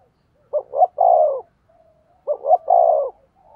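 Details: Decoy spotted dove cooing to attract wild doves, matching voices in a duel: two deep phrases, each a pair of short hooting notes leading into a longer, gently falling coo.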